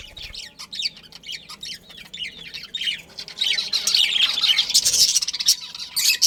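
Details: Budgerigar breeding pair starting with a series of short evenly repeated chirps, then building into loud dense chatter of high squeaky notes.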